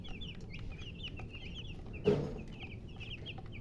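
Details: A brood of baby chickens chirping in quick high peeps, interrupted midway by a brief rustling burst of noise, then the peeping carries on.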